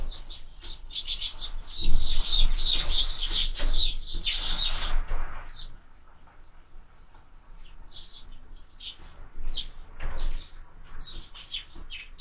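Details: Sparrows feeding at window-mounted feeders: about five seconds of intense, crowded chirping, then the calls thin to scattered single tweets with brief pauses between them.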